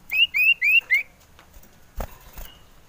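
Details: Agitated male common iora, wanting to mate and used as a lure: four quick, clean whistled notes, the first slightly rising, followed by quiet with a couple of soft knocks.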